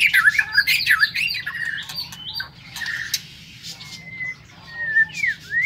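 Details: Caged White-rumped shama in a morning aviary delivering a loud, rich burst of warbled notes, then pauses before long pure whistles and quick upward-sweeping slurs, faint low background hum.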